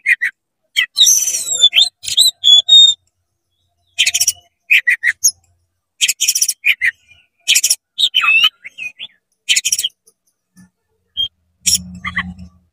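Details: Excited oriental magpie-robin in full fast song, meant to provoke rival magpie-robins: bursts of buzzy rasping notes mixed with sweet whistled slurs and chirps, delivered in rapid phrases with short gaps, and a faint low hum near the end.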